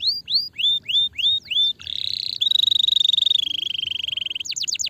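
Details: Singing canary: slow looping whistled notes, then a loud rapid buzzing trill that slowly lowers in pitch, finishing with a burst of sharp falling chirps; played to stimulate a sluggish bird.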